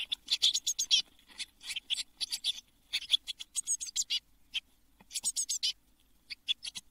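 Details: Eurasian blue tit nestlings, a brood of seven, calling inside their nest box in June 2022 before fledging: harsh, hissing, high-pitched bursts packed into fast clusters with brief gaps.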